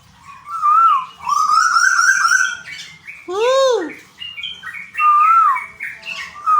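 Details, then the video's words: Tuwu kept as a captive bird in Bogor, Indonesia, calling loudly with long whistled phrases and a strong arched, swooping note, mixed with some harsher chatter. "Tuwu | Suara Asli Burung Tuwu Pemancing Bunyi"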